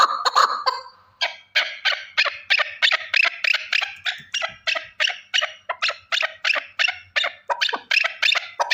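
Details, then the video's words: After a brief blurred note, a single male partridge repeats loud, rasping chuck calls at a quick, even pace, around three per second. "Овози кабки нар Голос Куропатка صوت الحجل Partridge's voice صدای کبک"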